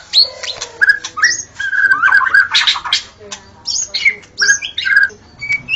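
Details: White-rumped shama in the forest giving a busy song of warbled whistles, quick chattering notes and buzzy bursts, rising and falling in pitch, loud and varied throughout.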